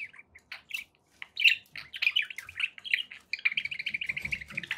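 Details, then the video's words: Captive budgies chirping and warbling in short bursts, then a steady run of rapid, evenly repeated chirps in the final second and a half, with faint low rustling beneath. "1 hour of budgie sounds to keep your pets in happy bird company"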